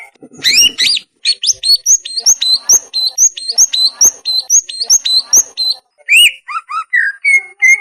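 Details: Greater green leafbird song used to train lazy or molting birds: a rapid, busy stream of high chirped and whistled notes in quick repeated phrases, ending with slower slurred whistles.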